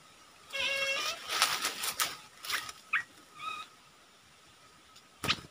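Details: Red-eyed bulbul calling as a decoy to lure wild birds, recorded 15 January 2022 while trapping: short stacked whistled notes, some sliding, in brief bursts with pauses, mixed with rustling and clattering noises.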